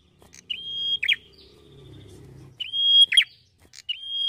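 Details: Red-headed prinia singing vigorously, with three phrases of a drawn-out high whistle, each closed by an abrupt lower two-part flick. A soft low rumble runs beneath the middle of the clip.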